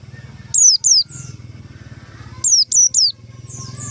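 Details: Calling white-eye used as a lure for catching white-eyes: two high falling whistles in quick succession, then after a gap a rapid burst of three more, all thin and sharp, over a low steady hum.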